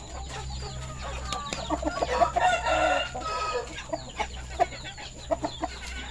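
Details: Red-and-orange feathered village rooster (ayam kampung / Bangkok chicken) on a poultry farm during afternoon feeding, February 2022. It gives a loud, harmonic crow of about one second, with soft clucks and high peeping chirps around it.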